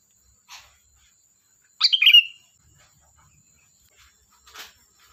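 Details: Sooty-headed bulbul singing in a lively, chatty manner: a single brief, bubbly, warbled phrase near the middle, with faint soft chirps before and after it and a steady high hiss.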